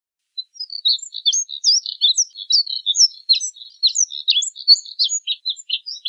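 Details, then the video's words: Moussier's redstart song: a rapid, scratchy warble of short high chirps and twittering notes tumbling one after another without pause, clean background with no other sounds. "Colirrojo Diademado Canto! Colirrojo Diademado Llamado! Voz! Sonido!"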